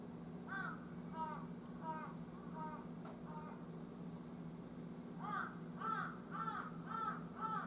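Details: Wild jungle crow calling around 11:50 on 18 October: runs of harsh, harmonic caws, a group of five, a short pause, then a faster burst of about seven caws, with a faint click and continuous low hum.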